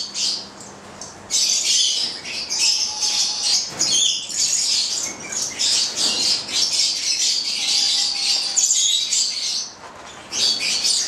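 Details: Captive pair of Stella's lorikeets, goliathina form, nine months old and bred in Italy, producing near-continuous harsh, high-pitched screeching for about eleven seconds with short breaks.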